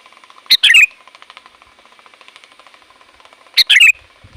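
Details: Sooty-headed bulbul calling to draw in wild bulbuls. Two short, bright bubbly phrases come about three seconds apart over a faint, steady ticking background.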